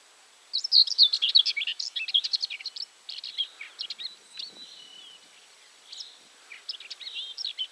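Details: Common whitethroat at Julków, Poland, on 3 June 2017, giving a fast, scratchy, chattering warble of jumbled high notes, delivered in quick bursts with brief pauses.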